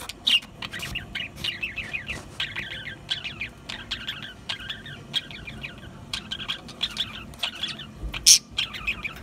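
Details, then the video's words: Budgerigars warbling continuously, a rapid run of rippling, zigzag chattering notes repeated throughout, punctuated by a few loud sharp chirps, one very loud near the end. "Beautiful Budgies Parrots Beautiful Birds"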